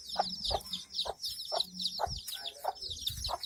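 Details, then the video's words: Short, regular clucks from a hen with chicks, spaced about half a second apart, set against busy high peeping from the brood and some low handling or footstep sounds. "Hen | hen and chicks | fun | funny | animal | sound"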